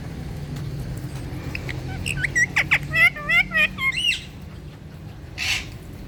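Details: A green talking parrot produces a brief run of harmonic, warbling vocal sounds with wavering, bending pitch lasting about two seconds, followed by a short breathy burst, over a low steady background hum.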